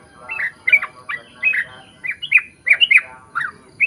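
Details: Yellow-vented bulbul in lively, chatty song used as a lure for birds of its kind: uneven clusters of bright, hooked chirps and squeaky notes over a faint background murmur.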